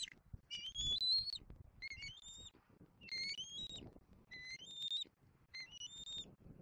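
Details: Juvenile wild bald eagle in Southwest Florida, April 10 2024, calling for its mother. Piercing, high whistled phrases that rise in pitch, given about every second, over soft low background noise.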